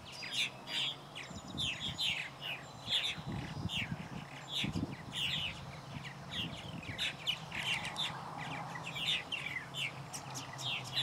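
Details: Purple martin nestlings and parents at a park wetland on 11 July 2020 give a steady stream of overlapping, high chirps and gurgling notes, several birds calling at once, over a low rumbling background hum.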